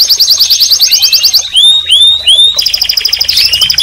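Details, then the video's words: Canary song: a fast high rolling trill, then three clear upward-curving whistled notes, then another rapid buzzy trill of repeated notes. "Canary Singing And Calling - Chant et appel des Canaries - غناء الكناري وندائه"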